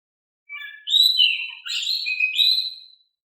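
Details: Oriental magpie-robin singing vigorously in a calm voice to lure other magpie-robins into song: one continuous run of varied clear whistles, slurred up and down, over two and a half seconds.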